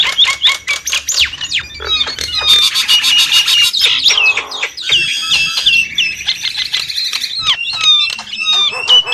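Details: Nias hill myna in a dense jumble of sharp clicks, loud rasping squawks and clear whistles that slide up and down, with bright piping notes near the end.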